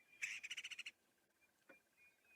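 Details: Great Spotted Cuckoo giving its more common call on a sunrise safari drive, 15 October 2016: a harsh, rapid chatter of about eight grating notes in under a second, followed by a faint click and quiet background.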